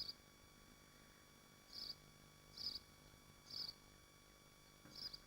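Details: Swifts nesting in Machynlleth within the Dyfi Biosphere, heard at the nest: four brief piercing buzzy screams roughly a second apart after a quiet start, with low background hum.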